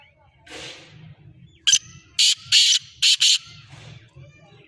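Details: Black francolin calling over soft rustling: a sharp opening click, then four loud, harsh, buzzy notes in an uneven pattern, with faint whistled sounds afterwards.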